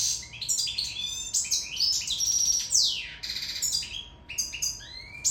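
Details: Goldfinch from Sicily singing while in love, delivering a fast liquid warble of high chirps, twangy downward slurs and rolled trills, nearly continuous throughout, over a faint low hum.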